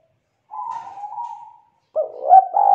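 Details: Young forest-caught spotted dove of the 'kuk 2' song type, loud and thick-voiced, gives a drawn-out soft hollow coo, then after a short pause a stronger, throaty, wavering coo that swells to its loudest near the end.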